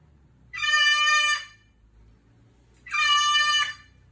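A cockatoo gives two loud, harsh, grating screeches, each almost a second long, about two seconds apart, over a faint low hum.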